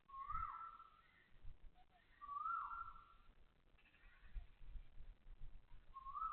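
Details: Asian koel at Toa Payoh Lorong 8, Singapore, heard at 6:30 am on 20 October 2025, giving loud whistled notes that climb then dip, repeated roughly every two seconds, with low-pitched thumps and hum underneath.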